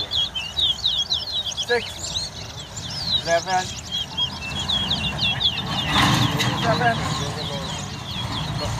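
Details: Competition singing of towa towa at a bird race at Craig Bridge bird ground in Guyana, 2022: quick chains of sharp, high chipping and warbling notes, with brief lower clicking bursts, a loud rustling burst midway, and voices nearby.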